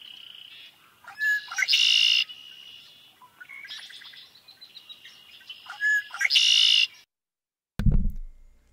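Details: Red-winged Blackbird, first bird in a birding-by-ear quiz of four common North American birds, gives two gurgling 'conk-la-ree' songs, short clucking notes then a harsh buzzy trill, with softer chirps between and a dull thump at the end.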